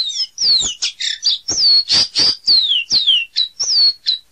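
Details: Caboclinho seedeater in full song: a loud, rapid string of high notes. Slurred downward whistles alternate with short buzzy chips, packed closely together. The background is quiet.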